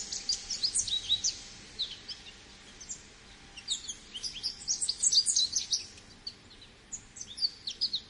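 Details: American goldfinch delivering energetic bursts of high, sweet twittering notes and quick slurs, with short gaps between phrases and a quiet background.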